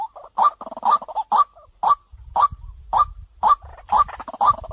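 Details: White-breasted waterhen calling as a decoy: bright, punchy notes repeated about twice per second, some in rapid doubled clusters, with a low rumble underneath midway.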